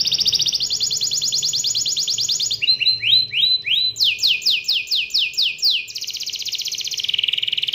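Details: A canary sings to spur other canaries into song: a high, fast rolling trill, then about four ringing slurred notes a second, then a run of falling sweeps, ending on another buzzy trill.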